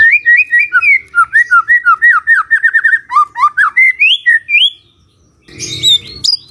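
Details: Magpie-robin singing in the morning as a prompt for a quiet bird to answer: quick runs of clear whistled notes repeated in fast series for about four seconds, then a short pause and a higher scratchy burst.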